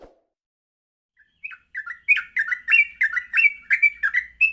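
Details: Yellow-vented bulbul singing gacor in the morning, used as a training lure for trucuk. After a brief quiet start, bubbly, slurred notes begin and repeat rapidly, each a short rising or falling chirp, continuing steadily to the end.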